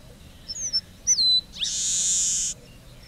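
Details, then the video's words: Red-breasted meadowlark song: two short, clear, slurred whistles followed by a long, harsh, buzzy wheeze lasting about a second, over a quiet low hum. "Canto do Polícia Inglesa do Norte"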